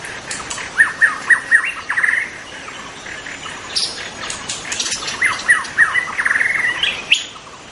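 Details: White-rumped shama in the wild, singing bursts of short repeated chirping notes, about two per second, followed by a pause and another similar run, with scattered sharp clicks and faint background rustling.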